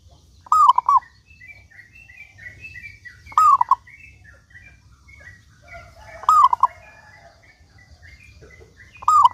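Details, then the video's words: Local zebra dove lure song: cooing phrases of quick rolling notes about every three seconds, set against steady high chirping and twittering of other small birds, with a low background hum. "Perkutut Lokal Gacor Suara Paling Ampuh Untuk Pancingan Burung Perkutut Agar Bunyi gacor dor"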